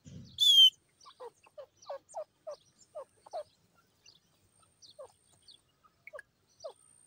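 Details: Grey francolin giving a loud shrill note, then a long string of brief, dry, downward-slurred notes repeated roughly every third of a second, slowing and becoming sparser toward the end, in an otherwise quiet setting.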